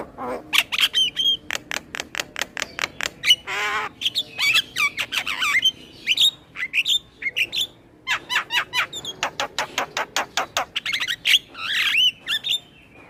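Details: Male Asian pied starling with a long, full song meant for training other starlings: rapid trains of clicks broken by a harsh, grating squawk, whistled slurs and chattering phrases.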